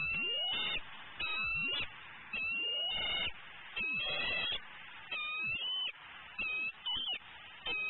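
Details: Hungry female eagle at a Florida nest, late morning of 12-11-14, calling over and over while her mate eats a prey item nearby. Repeated shrill, slurred squeals with bending pitch come about every second over constant noise.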